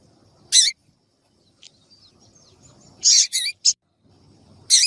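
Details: Calling female papa-capim, or Double-collared Seedeater, used to attract males. Short bursts of high, sharp chirps come spaced across a few seconds, separated by near silence.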